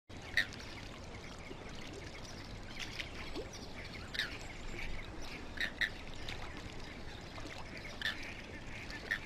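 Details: Feeding Andean flamingos give short, nasal, goose-like honks, about six scattered across nine seconds, some in quick pairs, over steady wind and water noise.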